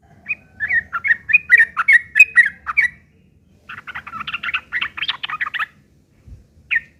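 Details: Sooty-headed bulbul in harsh, chattering fighting song used as a lure to prompt other bulbuls to answer; two bursts of rapid, slurred whistled notes, about nine in the first run and a denser scratchy second run, then one final note.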